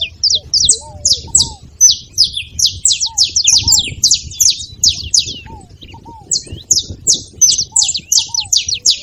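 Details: Saffron finch singing to get a silent canary going: an energetic series of high, clipped chirps at about three per second, broken by a short pause, with occasional low hooked whistles below.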